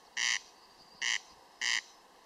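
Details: Three loud, grating rasps from a corncrake (Crex crex), each short buzzy burst rich in overtones, spaced about half a second apart in a steady mechanical 'crex crex' rhythm against a quiet background.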